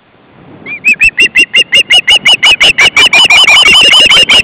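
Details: Osprey calling at a nest with three young, 29 August 2012: a rapid chain of shrill whistled notes that starts soft, quickly swells, and speeds slightly toward the end.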